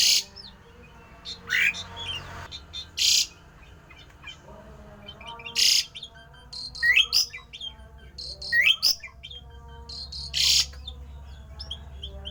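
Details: A rare, odd song of a Javan pied starling, used to spur other starlings to sing: harsh scratchy bursts mixed with short rising whistles and chirps at irregular intervals, over a constant low mechanical hum.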